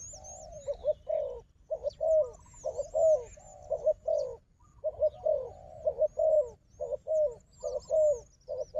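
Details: Fighting wild dove calling against a decoy bird: a steady stream of short, throaty coos, about one each second, in uneven runs, with a few faint high bird chirps in the background.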